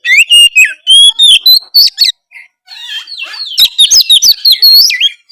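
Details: White-rumped shama, a caged bird, singing loudly to make other shamas respond: rich varied phrases of clear whistles mixed with sharp clicks and rapid chattering notes, a short pause midway, then a dense burst of rising and falling whistled trills.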